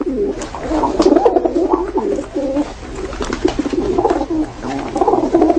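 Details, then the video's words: Several pigeons cooing at once, overlapping low burbling phrases forming a continuous murmur with faint clicks and rustles behind. "Голуби курлыкают, звуки голубей"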